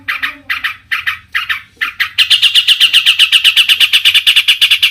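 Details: Long-tailed shrike song used to provoke rival shrikes into singing: harsh, scratchy notes in short spaced bursts, then a loud, rapid, steady chatter of buzzy notes repeated several times a second.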